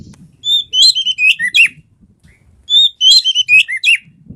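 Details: Oriental magpie-robin, a lively singer, recorded to prompt quiet birds to sing, gives two similar short phrases of clear rising and falling whistles about two seconds apart, with faint low rumbling between them.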